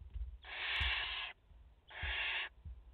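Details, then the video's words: Barn owls at a nest in France on 30 August 2021, a mother with four chicks, give two harsh, broadband hissing screeches. The first lasts nearly a second and the second is shorter, over a faint low rumble. "Chouettes effraies en direct - Płomykówki - Mama i 4 pisklęta"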